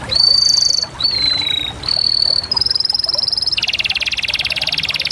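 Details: Canary song opening with clear, level whistled notes, stepping higher in turn, then switching to a loud low-pitched rapid rolling trill.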